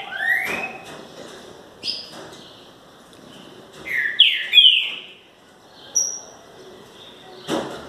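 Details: Green-winged saltator giving a few scattered, bright whistled notes, with a burst of overlapping slurred whistles midway, separated by quiet gaps.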